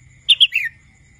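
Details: Young wild red-whiskered bulbul learning to sing: one short phrase of two bright, quick whistled notes followed by a slurred, falling warble, over a steady faint high hum and low background rumble.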